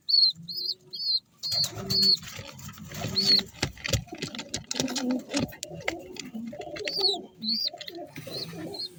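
Young pigeons give thin, high squeaky peeps in short bursts. Low soft cooing and rustling, clicking sounds run underneath.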